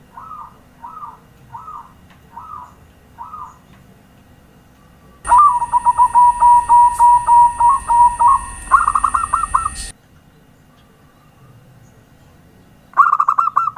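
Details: Zebra dove lure recording (pancingan) used to attract doves: five soft rolling coos about half a second apart, then a loud, rapid series of purring notes over a steady high electronic whine, stopping abruptly, then coos resume.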